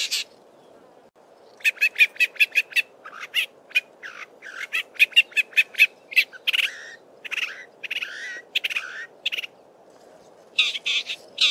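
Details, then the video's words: Male Southern Fiscal in Belmont Valley, Eastern Cape, singing and mimicking other local birds; rapid series of sharp clicking notes, then varied chattery and scratchy phrases with brief pauses, ending in harsher buzzy notes, quiet background. "Southern Common Fiscal singing and mimicking many local birds"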